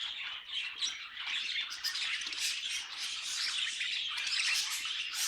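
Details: Several budgerigars singing together, a dense continuous twittering and chattering of buzzy, squeaky notes, steady throughout.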